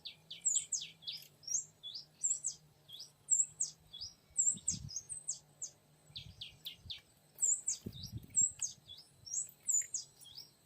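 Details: Luring a young male oriental magpie-robin in the wild: sharp high whistles and downslurred notes in repeated groups, over a constant low hum and a couple of dull thumps.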